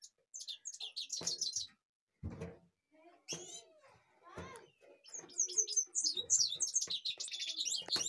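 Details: Goldfinch in Kashmir singing fast, jangling twitters that run into a long, dense trilling stretch, with scattered knocks and faint voices in the background.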